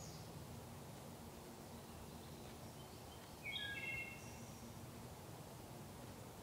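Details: A wood thrush sings in a sacred grove, giving a single short flutelike phrase of layered clear notes midway through, then a faint thin high note, against a constant low noisy rumble.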